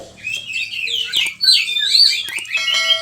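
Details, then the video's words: Oriental magpie-robin (kacer) in lively full song, used as a master recording for training other birds in Indonesia: varied whistled and warbled phrases, sliding notes and rapid chatter, continuous and high-pitched. "Pancingan suara kacer gacor, bongkar isian burung"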